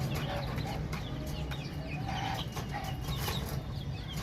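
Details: Baby chicks chirping together: a steady chorus of short, high, thin peeps overlapping continuously over a low background hum.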